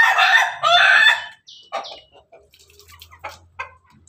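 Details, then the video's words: Morning crow of an Ayam Ketawa rooster kept with hens: a loud, rough, broken crow in two bursts lasting about a second and a half, followed by quiet clucking and short chirps. "Ayam ketawa jago berkokok dengan ayam ayam babon pagi hari"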